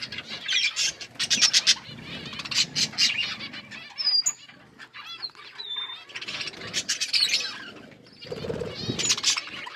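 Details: Budgerigars chattering while eating, in bursts of harsh buzzy warbling split by short pauses, with a few clear thin whistles and squeaks between the bursts.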